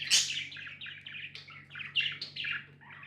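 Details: Budgies as pets chatter rapidly: one loud opening chirp followed by a quick string of small scratchy, warbled notes dropping slightly in pitch, over a low hum.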